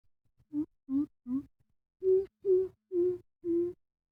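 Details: Coucal about six months old practising its call: three short, low hoots, a brief pause, then four fuller, steadier and slightly higher hoots at an even pace, with no other sounds.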